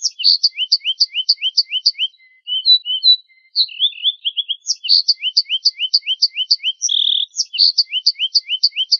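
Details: Finch song for masteran: chains of crisp rising chirps with piercing high accents, a gap of soft scattered tweets midway, then a dense buzzy trill among the renewed chirping, nothing else heard.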